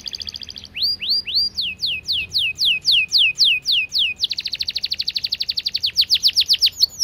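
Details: Singing canary in fast, tight, long-running song: a short trill, a sequence of loud sweeping slurred notes about three per second, then a rapid close-packed trill.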